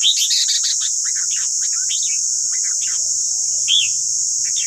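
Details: White-cheeked red-whiskered bulbul song used for training captive birds: bursts of quick, liquid whistled notes, rising and falling, clustered at the start, then scattered short phrases over a steady high hiss and a faint low hum.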